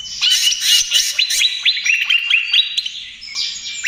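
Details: Trotol-style song of a greater green leafbird, meant as a lure and therapy for other birds: a run of quick, bright slurred whistles, each note rising then falling, repeated at a brisk uneven pace.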